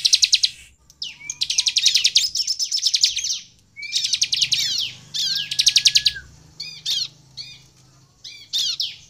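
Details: Bar-winged prinia in vigorous song, played to entice other prinias to sing: long rapid rattling trills of high repeated notes, then scattered sharp chips and short downslurred calls.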